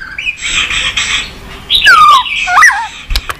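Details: White-rumped shama singing a varied song used to stimulate and train birds: harsh buzzy notes, then clear whistles sliding downward, twisting whistled phrases and a few sharp clicks near the end.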